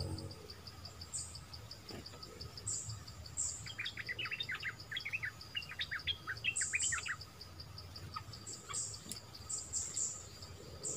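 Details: A family of wild flowerpeckers gives a quick run of sharp, high ticking chirps mid-way, with scattered thin high squeaks before and after. A regular pulsing insect-like beep continues in the background.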